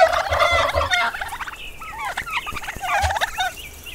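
A turkey gobbles in a fast, rattling burst, then breaks into a string of shorter rising and falling yelps.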